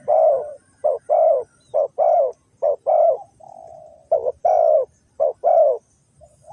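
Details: Cu gáy, a spotted dove from Ninh Thuận, Vietnam, used to lure wild doves into a trap. Delivers clear, mellow coos in quick pairs and triplets, with a long drawn-out hum in the middle of the sequence.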